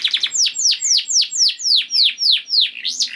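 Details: A canary sings to spur other canaries to sing: after a quick stutter, clear whistled notes sweep steeply downward about three times per second, ending in a rising-falling looped note.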